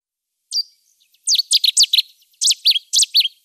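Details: Cetti's warbler singing: a single sharp opening note, a brief pause, then an explosive burst of loud, rapidly repeated emphatic phrases in two quick runs, against a quiet background with no other sounds.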